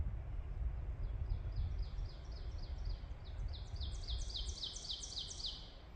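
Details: In spring woods on the Kemptville Campus, Ontario, a black-and-white warbler sings a fast series of thin, high, squeaky paired notes. An ovenbird's lower teacher-teacher phrases run in the first half, over low rumbling noise.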